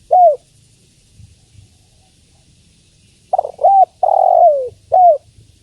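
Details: Female spotted dove calling to a male: one short downslurred coo, a pause, then a quick run of three or four mellow coos, the longest a drawn-out falling note, all at a moderate pitch over a quiet background.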